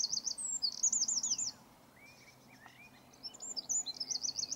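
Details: Eurasian wren singing: a loud, high-pitched burst of rapid trills and sharp warbled notes in two bursts separated by a quieter gap with faint thin whistles.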